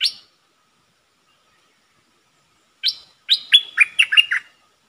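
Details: A lively decoy Puff-backed Bulbul gives a single chirp, pauses nearly three seconds, then sings a rapid phrase of liquid, rolling notes that step downward and bounce back up. No other sounds.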